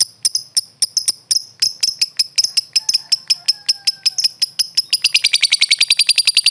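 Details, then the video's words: Lovebird, a world-champion competition bird, singing a long run of sharp, high, metallic chips repeated about three times a second, speeding up into a fast continuous trill near the end. "SUARA BURUNG LOVEBIRD JUARA DUNIA"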